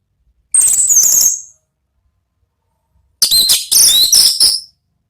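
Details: Orange-headed thrush, ngeplong-style singing meant to provoke other birds: a one-second burst of high squeaky warbling, a quiet gap, then a longer jumble of shrill, varied whistles and chips.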